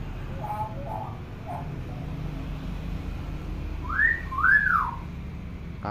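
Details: Tame talking hill myna, a clever mimic of any sound, kept indoors: soft wavering notes early, then after a pause a clear upward whistle and an arching slurred whistle, over steady low background hum.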